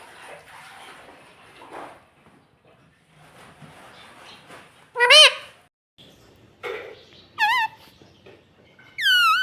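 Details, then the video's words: Talking pet parrot mimicking "mummy" and "papa": soft indistinct murmuring at first, then three separate loud, harmonic, wavering voice-like syllables spaced about two seconds apart, each rising or falling in pitch. "pattu parrot talking mummy papa || parrot talking papa"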